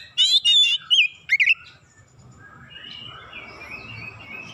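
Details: Bold oriental magpie-robin belting out its varied song as a lure: a few loud, rich warbled whistles and quick slurred notes in the first two seconds, then only a rushing, noisy background with faint distant chirps.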